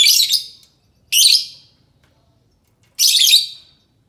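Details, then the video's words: Lovebird call meant to lure other lovebirds into answering: three loud, raspy, high screeches, each roughly half a second long, spaced one to two seconds apart with silence between. "Suara Burung lovebird cocok untuk pancingan lovebird pasti nyaut"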